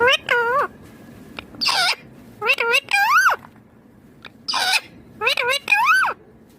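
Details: Ringneck green parrot imitating speech: clear, voice-like phrases of two or three syllables, each sliding up then down in pitch, delivered in separate groups roughly every second with quiet gaps between.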